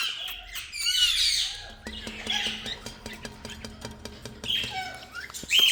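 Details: Indian rose-ringed (ringneck) parakeet (Psittacula krameri), a pet bird, gives three or four short bursts of harsh, scratchy squawks, with a steady rapid rhythmic ticking running underneath the middle.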